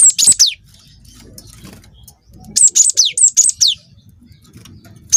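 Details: Young wingko cinereous tit used as a singing lure: an opening cluster of shrill falling notes, a two-second lull, then a lively string of six high whistles ending in a sharp drop.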